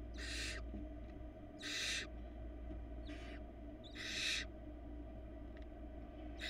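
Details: Young barn owl in a Florida nest box, feeding on small morsels by itself, utters a series of loud noisy screeching hisses roughly every one to two seconds, with steady low-pitched hum beneath.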